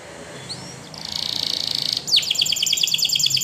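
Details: Spanish Timbrado canary training song: a brief rising whistle, a sustained rattling metallic trill, then a fast series of sharp descending repeated notes, high and bright.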